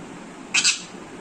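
An Alexandrine parakeet mimics a camera shutter: two quick, hissy clicks in about a quarter second, set against a quiet indoor background.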